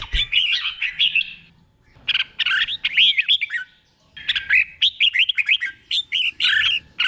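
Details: Thai caged red-whiskered bulbul in the slow, clear doubled 'beun' song style meant for copying: three rich bursts of rapid, rolling whistled notes, each lasting about a second or two, with quiet gaps.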